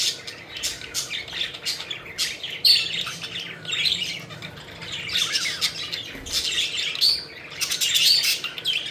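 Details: Playful pet budgerigars flying about, giving harsh squawks mixed with fast chattering chirps and a few thin whistled notes, steady flock chatter throughout.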